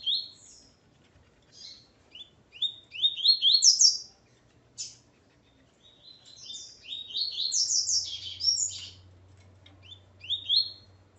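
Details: Male Double-collared Seedeater singing with his female, in bursts of quick chirpy notes climbing and falling, several rapid phrases separated by short pauses, with a faint low hum underneath.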